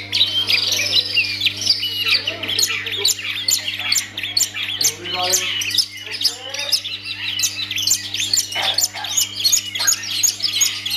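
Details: Long-tailed shrike kept by its owner delivering a fast, jumbled song of scratchy chatters, squawks and short whistles, notes tumbling out at over two per second, while a low electrical hum runs throughout.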